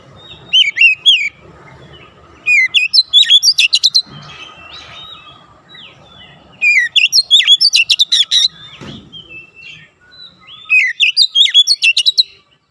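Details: Oriental magpie-robin training song for raw birds: dense bursts of sharp, varied whistles and chattering notes, each phrase lasting about two seconds and repeated roughly every three to four seconds, with faint low rumble between phrases.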